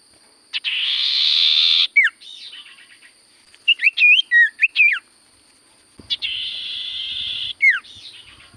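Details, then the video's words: Common iora giving long, hissing, buzzy notes that end in a down-slurred whistle, with a lively cluster of short varied whistles in between. "Burung sirtu cipoh gacor suara paling Top cer sirtu cipoh diam langsung nyaut"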